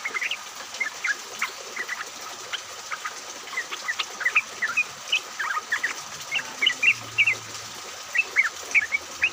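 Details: Group of yellow-vented bulbuls chattering in the rain, played as a lure for other bulbuls: short liquid chirps and quick two-note phrases repeated every second or so over constant rain hiss.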